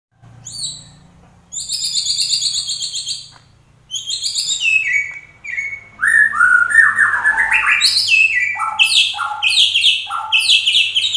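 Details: White-rumped shama in full song: bursts of rapid high trills and buzzy chips alternate with lower clear whistled slurs, delivered energetically with short pauses, over a faint steady low hum.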